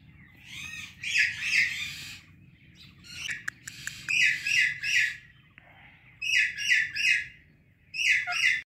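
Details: Indian ringneck and Alexandrine parrot, a pet pair, chirping loudly in the morning: rapid bursts of harsh, ringing chirps in runs of three to five, with a few clicks and a soft, low whistle in a pause.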